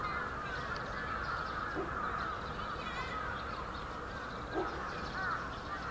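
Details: A large winter flock of bramblings in Yoyogi Park, Japan, February 2019: a dense, continuous chatter of overlapping high calls, with two brief lower calls standing out near the middle and end.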